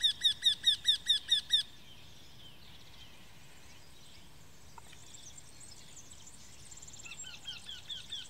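A Eurasian wryneck gives a quick run of about eight nasal, ringing 'kwee' notes in under two seconds, followed by quiet background with faint twittering from other birds.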